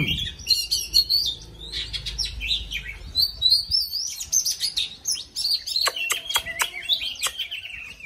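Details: Oriental magpie-robin singing while dancing: a rich, varied stream of high whistles, warbled slurs and sharp clicks, with phrases tumbling into one another.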